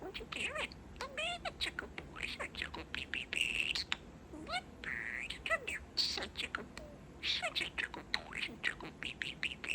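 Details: Male pet budgie chattering at close range and mixing his favorite phrases, including "What Bird?"; a long run of scratchy warbles, clicks and rising-falling whistled syllables with brief pauses.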